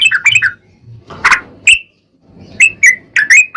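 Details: Sooty-headed bulbul song used as a lure for other bulbuls: scattered bubbly whistles, a brief harsh rustling burst, then more spaced, clear down-slurred notes, with low background noise.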